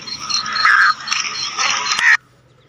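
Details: A wild black francolin hen in forest gives two loud, harsh, grating phrases, each about a second long with a brief pause between, ending abruptly.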